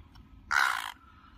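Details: Released bird met again in the wild, calling loudly in excitement: a single harsh, broad, raspy squawk lasting about half a second, over faint low background noise.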